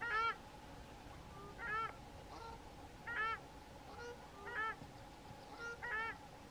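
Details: South African shelduck; duet; strengthens the pair bond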